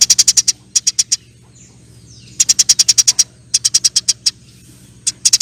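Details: Eurasian tree sparrow in energetic long nyerecet chirping, with a faint low hum underneath; the bird delivers clustered runs of four to eight quick, high, even chirps, separated by brief gaps.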